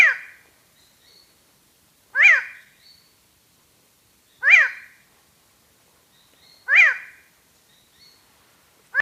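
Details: Song of the shy, solitary Hooded Tinamou: a nasal 'O' note with a rise-and-fall shape, repeated at a steady pace of roughly one every two seconds, five notes including partial ones at the edges, with no other sounds.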